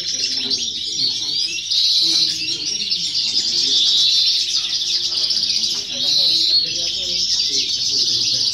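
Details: Young European goldfinch in a singing competition, 2018–2019, delivering rapid high twitters and trills that swell and ease in waves, with a low hum and distant voices behind.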